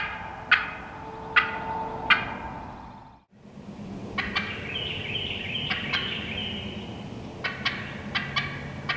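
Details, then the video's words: Wild turkey hens calling in the woods, no hunter calls: three sharp clucks, a brief gap, then scattered cutting notes mixed with a high rasping run of yelps, irregular and loud-soft. "Wild Turkey Hens Cutting Yelping and Calling"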